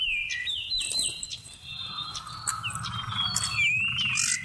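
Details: Song of a Seychelles magpie-robin, played to attract birds for trapping, November 2016: a string of bright whistled slurs, some dropping in pitch, others wavering, delivered about two or three per second over a low hum.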